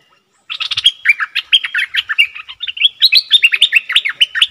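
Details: Decoy call of an old caged bulbul, kept eager to fight and used to lure rivals, from late December 2021. Brief quiet, then a fast burst of tumbling chirps and warbled notes, sliding up and down in quick succession throughout.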